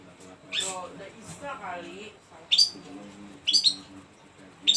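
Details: A Long-tailed shrike pouring out a large repertoire of song phrases: sharp, high chips in quick bursts mixed with lower, varied warbling phrases, with a human voice faintly heard underneath.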